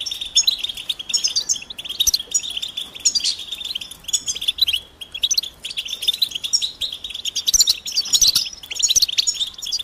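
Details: European goldfinch mating and readiness twitter, meant to stir males out of silence: bursts of quick, bright chirps and liquid tinkles in clustered phrases, with brief quieter gaps near the fifth second.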